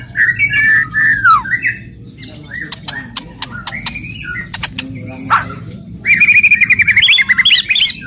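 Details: Aggressive murai batu (White-rumped shama) song meant to provoke other birds: rapid whistled phrases around mid pitch mixed with sharp clicking cracks, ending in a dense burst of high chattering notes; low hum underneath.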